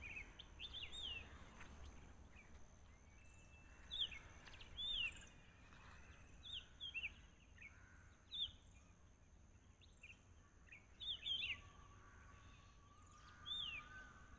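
A sunbird chick gives thin, high chirps with a quick rising-then-falling twist, in loose bursts every second or two, over a steady high-pitched whine.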